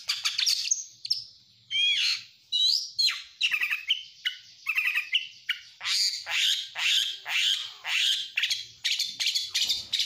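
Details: Oriental magpie-robin (kacer) singing while stressed, used to provoke other birds: harsh squawky downslurs, loud chattering bursts and sweeping whistles in a long, agitated sequence.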